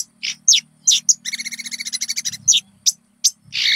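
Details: Konin song used as a lure to get caged birds singing: sharp high chirps and downslurred whistles, then a fast, buzzy, even trill of about twenty pulses over one second, followed by more scattered chirps and a hiss of noise at the end.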